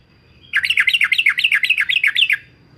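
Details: A Yellow-vented bulbul from Semarang, Central Java, gives a fast, bubbly run of about a dozen liquid, warbling notes over nearly two seconds, with a faint low hum beneath.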